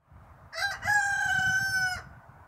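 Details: Barnevelder rooster crowing: a short broken opening note, then one long, steady, strongly harmonic tone held for about a second before ending abruptly, over a low background rumble.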